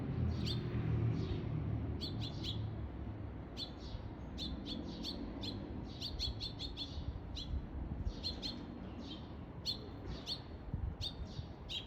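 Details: Eurasian tree sparrow parent with food in its beak calling to find its chick, filmed 17 June 2021; a long run of rapid, unevenly spaced bright chirps, often doubled or tripled, above a steady low background rumble.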